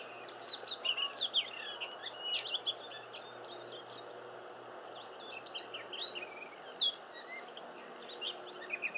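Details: Silvereyes visiting a garden: a busy stream of short, high, thin chirps and twitters, several overlapping, scattered throughout with brief louder bursts, over a steady background hiss.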